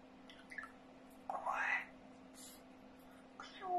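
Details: A pet grey parrot speaks a few short, speech-like syllables, one drawn out and rising, then a gliding fall at the end, over a steady low indoor hum.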